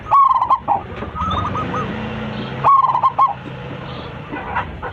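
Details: Local zebra dove with a big voice, singing actively while calling its flock. Two loud phrases of quick staccato coos around a steady pitch, about two and a half seconds apart, with fainter answering coos from another dove between them.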